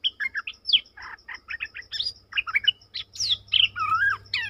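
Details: {'caption': 'Bulbul song recorded 20/03/2022: busy chattering bursts mixed with clear whistled slurs, including a long wavering whistle near the end. A rhythmic high-pitched insect pulse continues in the background.'}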